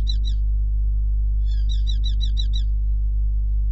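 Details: Hobby falcon in Hungary calling loudly at the nest on 5 July 2016 before settling back on its eggs; a brief burst of sharp high notes, then a rapid run of about seven clipped, down-slurred kew notes, over a steady low hum.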